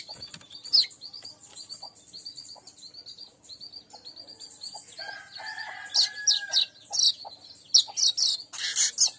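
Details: Weaver lure recording: thin, high chirps run as a soft chatter at first, then grow louder and denser, with a few clipped notes packed close together toward the end.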